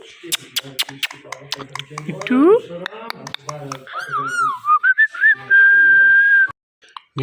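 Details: Talkative pet Indian ringneck green parrot, loud and full of energy, gives rapid clipped speech-like syllables, a sharply rising squeal, then wavering whistled notes settling into a long steady loud whistle before cutting off.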